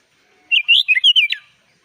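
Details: Sooty-headed bulbul in vigorous 'gacor full isian' song, the kind used to tutor young birds: one quick phrase of about six liquid, warbled, up-and-down whistles lasting under a second.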